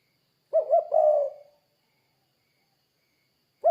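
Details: A single full spotted dove coo phrase, two clipped coos and then a long, fading, mellow note, with the next phrase just starting at the end. The calling is played to lure other doves to call.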